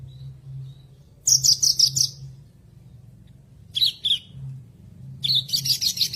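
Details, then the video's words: Horsfield's bush lark (branjangan) song used as a tutor recording to help a bird that stopped singing after moult or stress sing again: three bursts of rapid, bright, high chattering notes separated by pauses, over a steady low hum. "MASTERAN BURUNG BRANJANGAN MACET BUNYI"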